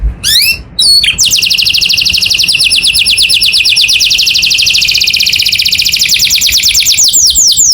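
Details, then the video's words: Canary singing in the morning: a few brief rising chirps, then a long fast trill of evenly repeated, sharply descending high notes that keeps going for about six seconds, shifting slightly in pitch near the end. "O SOM DOS CANÁRIOS FAZ OUTRA EMOÇÃO DOS CANÁRIOS E ALEGRIA A VOZ DA MANHÃ"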